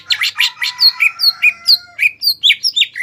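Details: Greater green leafbird from Indonesia singing to stir up rivals, with a quick series of harsh buzzy notes giving way to clear, ringing whistled slurs, alternating rough and pure notes about four per second.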